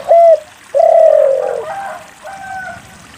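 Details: Lure recording of a spotted dove singing steadily to coax other doves into song. A short loud coo is followed by a long, sliding, descending coo, then a softer, fainter coo trails off.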